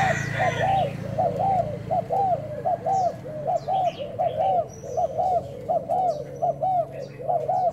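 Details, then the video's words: Spotted dove kept as a decoy bird, cooing in a test session on 01/11: a steady run of mid-pitched, rounded coo notes in tight groups with a halting rhythm, plus faint higher chirps from other birds and a low background hum. "Mồi trần thái gù"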